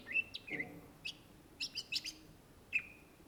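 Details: Greater green leafbird, or cucak ijo, in energetic song: clear whistled notes and a rough burst, then a cluster of sharp high chips, a pause, and one final clean whistle.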